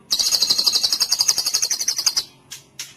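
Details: White-rumped shama cililin song meant for training other birds: a fast, steady, high-pitched rattling trill lasting about two seconds, followed by two single sharp notes.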